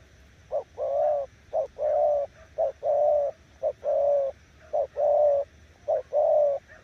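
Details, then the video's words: Spotted dove in Kon Tum, Vietnam, calling a steady series of low, rolling coos, short lead notes alternating with longer burry coos, roughly one phrase per second. "Nước gù ae tự đánh giá"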